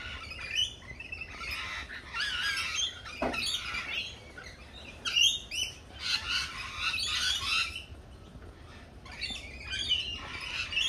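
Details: Lorikeets at a cafe giving harsh screeching and chattering calls in overlapping bursts every second or two, several birds at once, with low background rumble.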